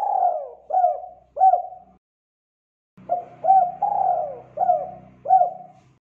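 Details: Lively spotted dove song used to train young doves to join in: deep cooing phrases of a falling coo followed by short hooked notes, given twice with a pause between, and a low hum in the second phrase.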